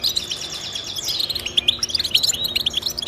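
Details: High, tinkling goldfinch twitter used to encourage pet goldfinches, with a buzzy drawn note early on, then rapid bright chirps tumbling over one another.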